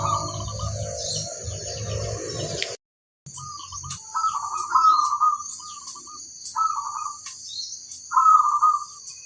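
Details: Local crossbred zebra dove repeating bubbling, rolling cooed phrases every second or two after a burst of low rumbling noise, with steady high hiss and occasional faint chirps.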